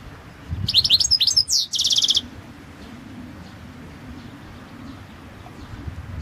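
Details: Singing Balkan goldfinch (Carduelis carduelis balcanica), 2022 world championship song competition entry: a rapid cascade of bright high twitters and a swooping whistle leading into a fast, even, buzzy trill, then quiet.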